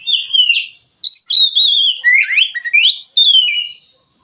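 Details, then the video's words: Easy, relaxed singing of a white-rumped shama used as a tutor lure: bright sustained whistles gliding downward, then rapid upward-sweeping notes and a final falling whistle. "suara Kacer ngeplong santai, pancingan / masteran Kacer"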